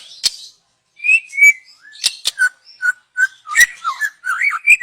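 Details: Young wild white-rumped shama of the forest, song for luring; sharp click, short whistled notes spaced evenly, then quick slurred up-and-down whistles with further clicks.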